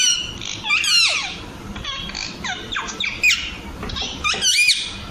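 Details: Baby Alexandrine parakeet giving rapid, squeaky, harmonic squawks with quick up-and-down bends, crowded together and overlapping, several bursts in about five seconds, with faint background hum.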